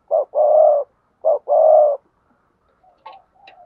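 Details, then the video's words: Cooing spotted dove in the 'gáy thúc gù' and 'gáy gọi' styles: two low coo pairs, each a short note and then a longer drawn-out coo, followed by faint softer notes. "cu gáy thúc gù và gáy gọi"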